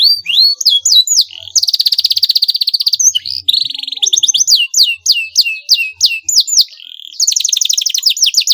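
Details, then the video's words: Canary rival-provoking song: sharp falling whistles, then a long, fast, buzzy trill, followed by rolling rapid notes and swoops, ending in another dense trill. "pancingan bunyi kenari ini sudah terbukti ampuh membuat lawan tatah langsung respon"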